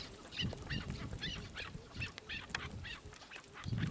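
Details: Chukar partridge giving a rhythmic run of sharp, rising-and-falling clucks, roughly two per second, clear above a soft low rumble.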